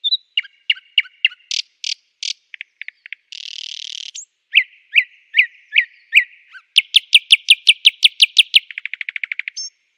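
A nightingale sings a rich, varied medley of repeated chips, a harsh buzz, loud whistled notes and fast rattling trills, with short pauses between phrases.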